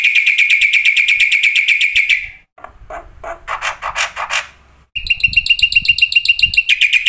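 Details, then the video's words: Black-winged starling full song used as a lure to get starlings singing: a long, even fast trill, a stretch of harsh scratchy notes, then another quick ringing trill of repeated high notes. "masteran jalak putih suara full isian"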